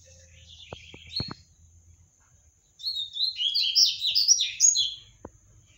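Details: Captive double-collared seedeater (papa-capim) singing a fast, high, tumbling phrase of buzzy and clear notes after a few soft chirps, with faint clicks and knocks around it.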